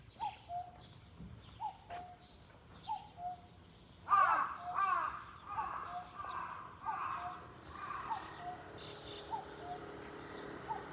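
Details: Cuckoo calling outdoors: a soft two-note 'cuck-oo', the second note lower, repeated about every 1.2 seconds, with harsh crow cawing breaking in loudly from the fourth second and continuing over the later calls.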